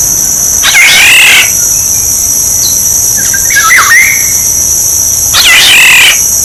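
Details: Oriole recording used as a decoy sound: three harsh, nasal, scratchy squawks about two seconds apart, with a faint whistled note between them and a steady high electronic tone behind.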